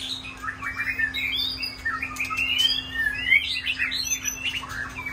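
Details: Kept shama birds performing on a rainy day, pouring out rich, varied song of quick whistled slurs, rising notes and chirps that overlap without pause, over a constant faint electrical hum.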